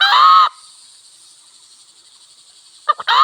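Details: Wild red junglefowl cock near a village: one raspy crow ends early on, then a long stretch of steady high insect buzzing, and a new stuttered crow starts just at the close.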